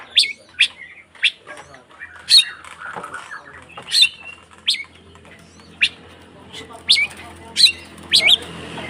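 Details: White-rumped shama in fighting mode to provoke other shamas, giving sharp, high, separate chip notes roughly once a second with faint softer sounds between them.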